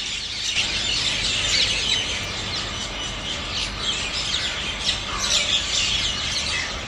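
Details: At dawn before sunrise, a flock of Rose-ringed Parakeets flies over an Indian neighbourhood heading to their daytime haunts. They give a dense, continuous chatter of shrill, harsh, overlapping screeches over a steady background hum.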